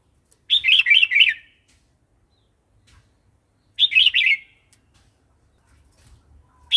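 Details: Red-whiskered bulbul in wild-style song, used for training young and wild-caught birds: two brief, bubbly whistled phrases of three quick rolling notes each, about three seconds apart, separated by silence.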